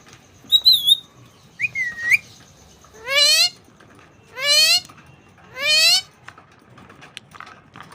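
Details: Parrot kept as a pet gives a few short chirps, then three loud, drawn-out whistles, each sweeping upward and lasting about a second, spaced roughly every 1.3 seconds, in a quiet room.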